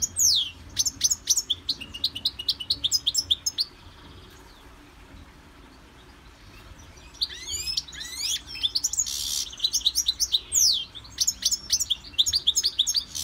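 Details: Caged European goldfinch in a Victorian brass cage, in song training, singing rapid twittering phrases of high sweeping notes and buzzy trills, pausing near the middle before resuming a fast, tinkling run.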